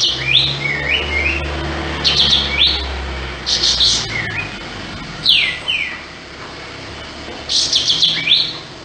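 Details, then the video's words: Sooty-headed bulbul singing actively with tail spread: short phrases of harsh, buzzy bursts followed by bright whistled notes that fall in pitch, repeated at irregular intervals of about two seconds over a low steady hum. "Masteran Kapas Tembak"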